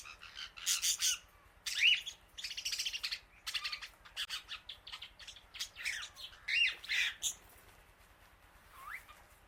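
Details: Loud chirping from an Indian ringneck parakeet calling to other birds, a dense run of harsh broadband squawks and buzzy chatter with a few thin whistled upslurs, over a steady low electrical hum.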